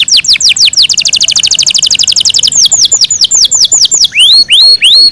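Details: Yorkshire canary kept at home sings downslurred whistles that quicken into a fast steady trill, then slow to spaced swooping notes and finish with rising hooked whistles.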